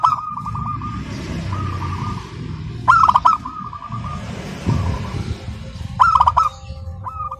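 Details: Local zebra dove singing without a break, crystal-clear in tone: ringing coo phrases punctuated by two loud stuttering click-and-coo songs about three seconds apart, set against steady low rumbling noise.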